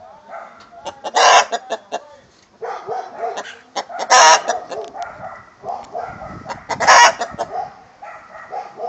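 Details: Egg song by a rooster with his hen, strident broad squawks about every three seconds between rhythmic nasal clucks and cackles.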